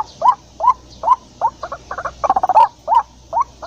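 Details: White-breasted waterhen in the wild, a call used to lure birds for trapping: repeated upslurred croaking notes about every half second, interrupted by a fast rattling burst midway.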